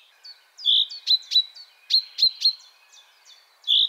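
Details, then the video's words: Common chaffinch singing a bright, high series of sharp, quick downslurred notes, some paired, ending on a clear ringing note, with no other sounds. "Common chaffinch"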